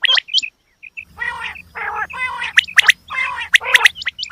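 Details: Female quail making sharp chirps, then several long, raspy, nasal buzzes mixed with piercing high notes. A low hum runs underneath.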